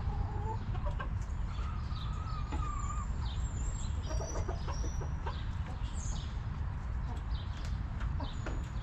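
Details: Backyard chickens relaxing in their coop, hens clucking: a drawn-out nasal tone near the start, then short soft clucks scattered through, over a steady low rumble, with faint high chirps of wild birds.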